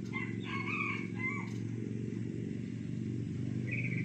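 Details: A caged junglefowl being trained to crow gives one short, clipped crow of about a second, with a brief rising note near the end, over a steady low rumble of background noise.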